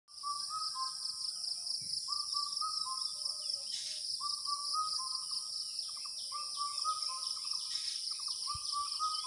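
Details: Asian koel calling in the month of Jyoishtho, early summer: runs of short, repeated mid-pitched notes at a steady pitch, broken by brief pauses, under a loud, constant high insect drone that lasts throughout.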